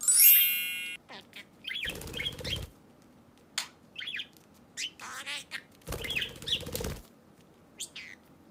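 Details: Pet budgerigar chattering, offered for searching for a lost bird: irregular squeaky chirps and short warbles, broken by two loud bursts of rapid wing flapping.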